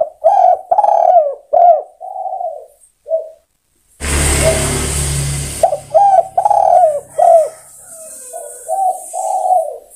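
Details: Spotted dove calling for other birds: a rhythmic run of short, husky coos, interrupted by a loud burst of broadband noise, after which the coo series resumes and trails off.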